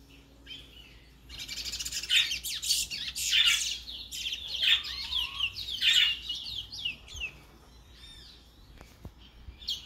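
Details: Brown towa towa, the Chestnut-bellied seed finch, from Guyana, singing a loud, fast, varied twittering song of rapid chirps and trills in several bursts for about five seconds, then softer scattered whistled notes.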